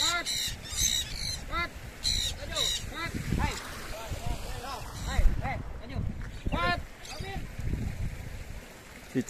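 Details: Red-breasted parakeets free-flying with other small parrots in Indonesia on 11 December 2022 give loud, harsh, arching squawks in irregular bursts, some overlapping, over low rumbling background noise and a faint human voice.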